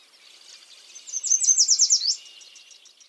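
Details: A male yellow warbler (Setophaga petechia) sings to attract mates: a bright, very high, sweet, melodious "sweet sweet I'm so sweet" phrase of quick notes that speeds up and ends in a flourish, about a second long; faint hiss.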